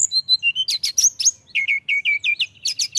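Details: Mountain tailorbird singing energetically; rapid sequence of sweet whistled notes, first higher steady tones, then sharp downslurs, then a quick run of repeated rising whistles, clean background.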